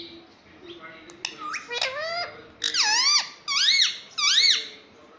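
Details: Talking ring-necked parakeet saying "mummy" and "papa". Soft squeaky syllables lead into three loud, nasal, swooping phrases, each dipping and then rising, spaced about half a second apart.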